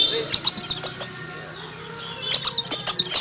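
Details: Oriental magpie-robin in a cage outdoors in the morning, agitated after spotting a flying eagle: rapid clusters of high, sharp chirps at the start and end, with a quiet pause in between.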